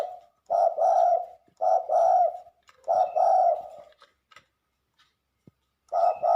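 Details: Spotted dove used as a lure bird for trapping, from Liwa, West Lampung, Indonesia: mellow cooing phrases of two or three notes, repeated four times, with faint clicks between them.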